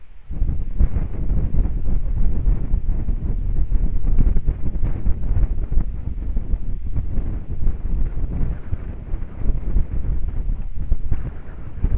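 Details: Strong, gusty wind buffeting the microphone fills the recording with low rumbling noise, and no animal calls can be heard.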